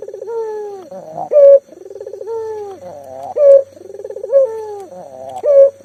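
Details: Energetic local collared dove, used to coax mute doves into calling, delivers rhythmic trilled coos alternating with loud, ringing higher notes, roughly every two seconds.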